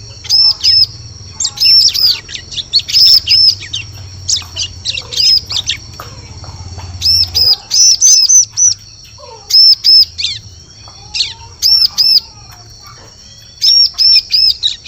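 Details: Bar-winged prinia, called ciblek, heard as a forest lure: long series of high, upward-arching chirps in pairs and triplets with irregular gaps, over a continuous high-pitched whine.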